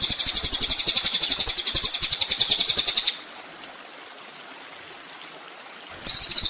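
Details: Sunbird known locally as kolibri ninja, from a master recording for tutoring cage songbirds: a rapid high-pitched buzzy trill runs for three seconds, falls silent, then resumes briefly near the end.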